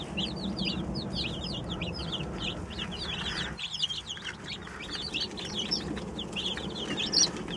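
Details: A group of 27 newly arrived baby chickens, just arrived that day, giving a dense chorus of short, high, downslurred peeps that overlap continuously, over a steady low hum.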